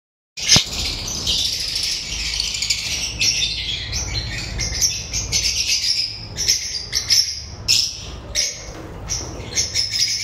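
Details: Lovebirds chattering, recorded 31 October 2024: a dense mix of high squeaky chirps and shrill twitters from several birds, with sharper calls standing out toward the end.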